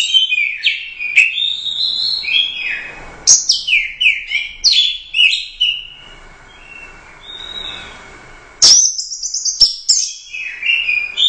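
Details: First-place Royal Cup orange-headed thrush singing gacor teler doyong: bursts of rich downslurred whistles and varied phrases, a quieter pause, then another loud spirited run with crisp clicks.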